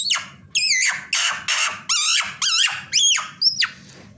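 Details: A pet common myna, which imitates sounds such as horse, duck and hen and whistles, gives a quick run of about eight harsh, squeaky and whistled notes, roughly two per second, over a faint hum.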